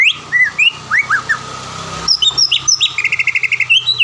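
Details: Caged greater green leafbird, a contest winner in Palembang, sings scattered rising whistles over a low background hum, then a quick string of short repeated notes and high chips.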